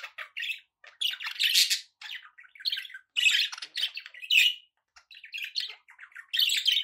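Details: Budgies squawk and chatter in rapid, scratchy bursts, harsh grating notes alternating with softer warbles and a few short pauses.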